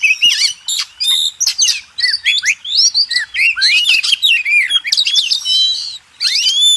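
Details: Master song of the Oriental magpie-robin for contest birds: lively run of clicks, sweeping whistles and looping slurred notes, varied and high, with a short gap before a final rising whistle.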